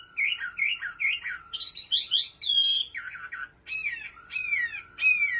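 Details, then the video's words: A Bình Định cage-bird Chinese hwamei repeats a slurred three-note motif, switches to harsher high notes, then gives several upward-sweeping whistles with short gaps between them. "Họa Mi giọng hót cực hay và chuẩn"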